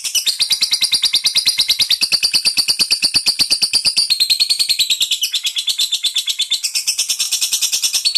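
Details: Long-duration fighter-style lovebird song: a loud, relentless stream of rapid harsh chirps and buzzy trills, high-pitched and evenly pulsed, with no pauses from start to finish.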